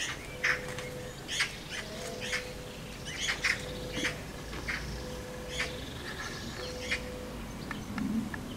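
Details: Magpies fighting around their nest at the bottom of a garden: harsh, rasping squawks and chatters come in scattered bursts, with a steady low mechanical hum underneath.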